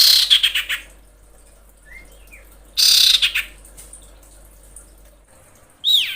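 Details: Breeding-condition female common iora calling to males, giving three separate bursts of harsh, rapid, stuttering trills spaced seconds apart, with soft distant chirps between them.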